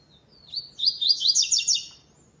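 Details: One complete song phrase of a double-collared seedeater in a web tournament's second stage, classic style without third note: a thin lead-in whistle, then about six quick high buzzy notes, each slurring downward, in a tight burst.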